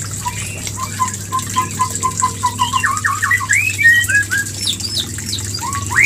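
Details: White-rumped shama mating song used as a lure: a rapid series of repeated clear whistled notes building into rising slurred phrases and high chirps, with a constant low hum behind.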